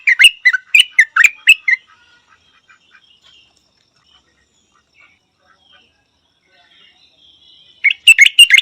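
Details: Yellow-vented bulbul song in two bursts: a quick run of loud, sharp, bell-like chirps, nearly two seconds of near silence, then another lively chattering burst at the end.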